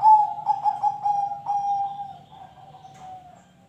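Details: Zebra dove, whose song serves to prompt other birds to sing, gives a series of pulsing coo notes that slowly fades and drifts slightly lower in pitch.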